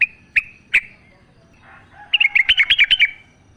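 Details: Wild sooty-headed bulbul singing actively in the forest, a natural recording used as a lure to get captive bulbuls singing: three sharp separate notes, a short pause, then a quick bubbly burst of about ten chirps.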